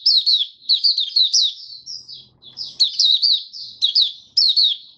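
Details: White-eye song in rapid clusters of high, slurred tweets separated by brief pauses, delivered strongly and repeatedly.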